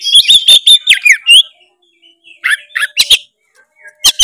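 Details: Oriental magpie-robin, a lively singing bird used to provoke a lazy bird into singing: loud whistled, slurred phrases with sharp clicks and chirps in quick bursts, a short pause, then more chattering notes.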